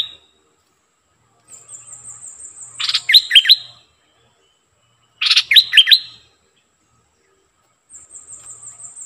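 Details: A decoy streak-eared bulbul gives two short bursts of quick, bubbly chirped notes a few seconds apart, over a thin, steady high-pitched hum.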